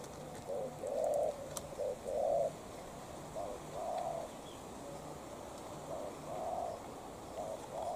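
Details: Spotted dove duel between a tailless decoy bird and a wild dove. Repeated low coo pairs, short note then longer hooting coo, vary in loudness as if from more than one bird. Faint clicks are also heard.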